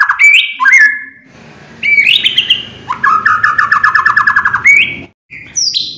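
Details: Provocation song of a white-rumped shama, for getting other birds to sing: short whistled phrases, a long buzzy rattling trill, then high thin whistles.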